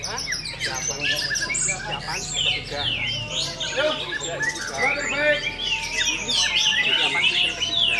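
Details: A new four-month-old orange-headed thrush at a songbird contest pours out a rich, fast, varied song of high whistles, slurred notes and rapid trills, with other songbirds and faint voices behind.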